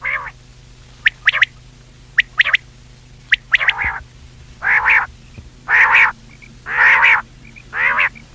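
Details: Common quail calls meant for hunting at night: quick clicking notes in pairs at first, then a slow series of long, even nasal calls about a second apart, with low hum behind.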